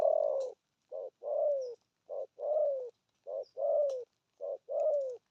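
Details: Spotted dove performing 'thổ âm' with 'gù thúc' cooing: a short clipped coo answered by a longer, slowly falling coo, the pair repeated about four times at a steady pace against a quiet background.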